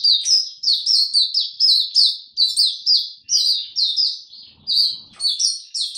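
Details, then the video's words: Tiong aw song of a caged Oriental white-eye recorded 25 January 2022, the bird having slept late the previous night; a long unbroken stream of bright, high, quickly repeated chirping warbles. "Mata Puteh Hercules V2 buka tiong aw sing"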